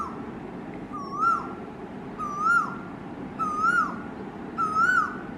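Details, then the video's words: Male Asian koel singing: four clear whistled notes, each rising then dipping, repeated about every 1.2 seconds and growing slightly louder, over a soft steady background hiss. "Asian Koel Bird Singing | Cuckoo bird Sound | Koyal ki Awaaz"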